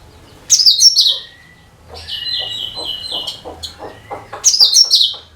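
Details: Cucak kinoi song meant to draw in other birds: loud rich chattering burst, then a steady high whistled phrase with soft clicks, then another bright chattering burst.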